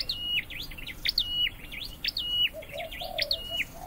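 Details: Caged scarlet-headed flowerpecker in singing training repeats quick high chirps, each a thin zigzag note ending in a short steady whistle, about one per second, set against hissing background noise and a faint lower sound midway.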